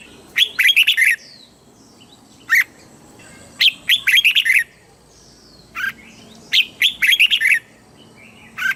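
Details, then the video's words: Red-whiskered bulbul, southern master-style song used to stimulate caged birds and teach young birds: lively phrases of rapid chirpy notes alternating with lone sharp notes, repeated several times. "เสียงนกกรงหัวจุก สำหรับต่อ หรือ เปิดให้นกคึก"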